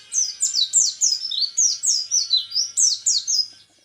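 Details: Loud, rapid volley of piercing, high downslurred notes, roughly four a second, from an orange-headed thrush singing the tembakan repet style of a hoped-for national champion.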